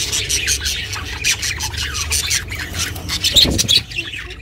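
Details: Budgie chirps from a pet bird, recorded for budgies living alone: a steady stream of harsh, buzzy notes, growing louder near the end before tailing off.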